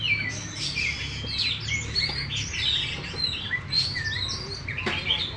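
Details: Champion Oriental magpie-robin in a cage, tail fully fanned, sings rich whistled phrases mixed with short buzzes and rising slurs. A steady low mechanical hum runs behind the song.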